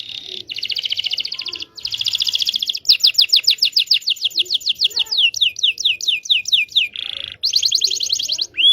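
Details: Local Indonesian canary song meant to teach young canaries: dense buzzy high trills shifting into quick repeated sweeping notes, a lower rolled trill, then more rapid trilling.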